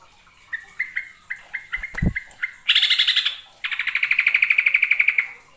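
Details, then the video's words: Yellow-vented bulbul (trucukan) from East Java, lure recording of lively song with long rapid rolls: a run of short clear notes repeated about every quarter second, then two loud buzzy rattling trills. "KICAU TRUCUKAN PIKAT GACOR FULL ISIAN (YELLOW-VENTED BULBUL)"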